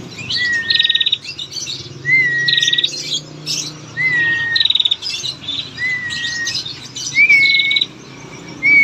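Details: Female prinia calling repeatedly as a lure for males: about six phrases, each a clear, flat whistle followed by a quick, dry, high-pitched rattle, steady across nine seconds, with other faint bird chirps behind.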